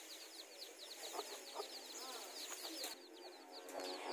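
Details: Chicks with mother hens in a garden during a territorial clash between hens; rapid high peeps slide downward in a continuous chorus over a hissy, noisy background with a few brief low knocks.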